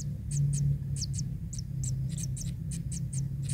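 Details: Kingfisher chick, still red and featherless, fed fish until full; quick high-pitched chirps in pairs and singles, fairly regular, against low droning background noise.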